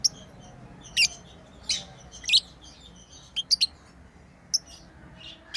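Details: Occasional isolated shrill chirps from playing pet lovebirds, single or paired notes separated by quiet gaps of about a second.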